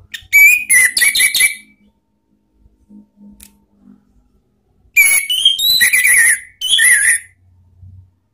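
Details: Orange-headed thrush lure song for training cage birds in 'ngeplong' and 'ngeriwik' style: clear whistled phrases mixing rising and falling slurs with quick chirps, delivered in three separate bursts with quiet gaps.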